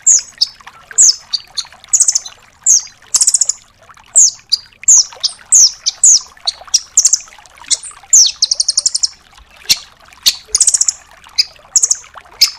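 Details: Velvet-fronted nuthatch in full 'tembakan' mode for training other songbirds: a long run of high trills, sharp chips and descending whistles, delivered in rapid, almost continuous bursts.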